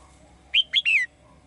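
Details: One brisk phrase from a caged female bird calling the male: two short high chirps followed by a longer note that slides down, all delivered within half a second.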